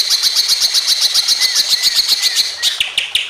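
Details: Greater green leafbird in emotional song meant to trigger other birds: a fast, steady, high-pitched stream of sharp buzzy pulses, about four a second, with soft slurred whistles underneath, ending in rougher chatter.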